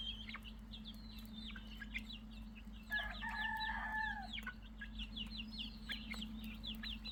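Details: Several chickens' chicks peep constantly in high, thin downslurred notes, overlapping at about three calls a second, over a steady low electrical hum.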